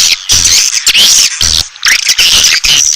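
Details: Asian swiftlet attraction call: loud, dense, harsh twittering chirps in several bursts, broken by brief gaps, with a grating, buzzy texture throughout.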